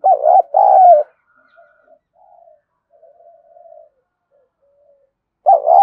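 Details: Spotted dove giving coos to stimulate other doves: a two-part coo, faint soft murmuring notes for several seconds, then another loud two-part coo at the end.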